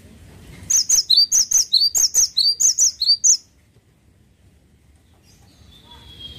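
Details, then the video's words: A vigorous cinereous tit sings about twelve piercing high whistles in quick repeated pairs over nearly three seconds, then falls silent apart from faint background noise. "GELATIK WATU GACOR"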